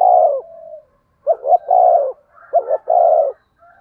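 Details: Spotted dove cooing in the thunder-voiced style used to stimulate other doves: a low gruff coo with a trailing note, then two grouped phrases, each a short double note followed by a longer rolling coo, in a quiet setting.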